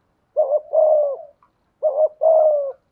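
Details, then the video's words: Decoy spotted dove with a 'thổ' voice delivers two mellow coo phrases. Each is a quick stuttered note followed by a long, slightly descending hoot, and the recording is clean and quiet. "Chim Cu Mồi/ cu gay giong tho cuc dinh"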